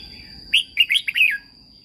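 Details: Caged Red-whiskered Bulbul in Thailand; its song serves to train birds and get them singing. One crisp five-note warbling phrase, notes swooping up and down, under a constant thin high tone.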